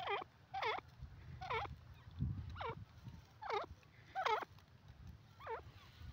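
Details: Desi teetar (francolin) calling, a series of loud, looping, harmonic notes repeated roughly every second, each twisting up and down, over low background rumble.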